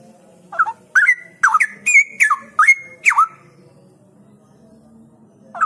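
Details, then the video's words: Straw-headed bulbul in full song, a series of loud, rich whistled phrases sliding down and rising again, about six notes in quick succession over three seconds, then a pause and a new phrase beginning. "Cucak Rowo Gacor ini Bikin Cepat Cucak Rowo Lainnya Ngeplong"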